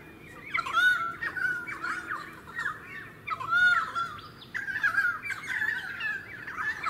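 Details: Pied currawong in a suburban area of the Sunshine Coast, Queensland, filmed in February 2018: loud ringing, slurred whistled notes with harsh overtones, given in bursts about every second or two over a low hum.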